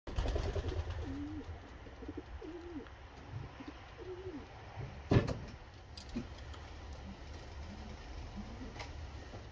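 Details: Racing homer pigeon giving a few soft, low, bowed coos in the first seconds, then quieter murmurs, with a sharp knock midway and low background rumble.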